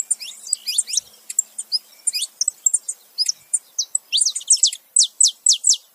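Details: Male and female saffron finches together calling: varied high chirps and brief whistled notes, ending in a run of loud, steeply falling notes repeated about every half second.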